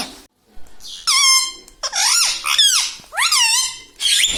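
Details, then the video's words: Talking parrot, said to speak words like papa and mummy, giving loud squeaky, harmonic-rich utterances that swoop up and down, four bursts separated by short pauses, with a brief silence near the start. "Papa Mummy Bolne Wala Tota - Talking Parrot - Me Tota Me Tota || batuni tota"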